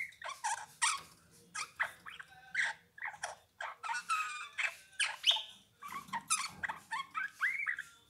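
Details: Eurasian bullfinch song: a string of short, soft, creaky whistled and piping notes, some slurred up and down, given in quick bursts with brief gaps, over a faint low background hum.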